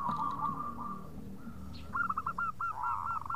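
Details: Local zebra dove calling to companions in 'khong' style: a soft level trill, then a string of short hooked coos, over a low background hum.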